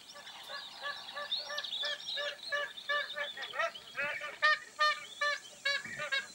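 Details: Magpie geese filmed in the Northern Territory, clear honking calls: resonant nasal honks repeated roughly two to three per second, several birds overlapping, with louder, higher honks building toward the end in a quiet setting.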